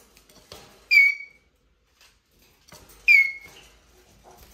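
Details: Male Eurasian jay giving plaintive squeaks: two loud, downslurred whistled notes about two seconds apart, each trailing into a short flat tail, with soft clicks and handling noise around them.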